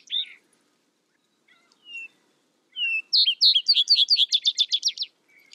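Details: Vesper sparrow singing: faint scattered notes, then a soft whistle that breaks into a lively trill of rapid high chirps lasting about two seconds.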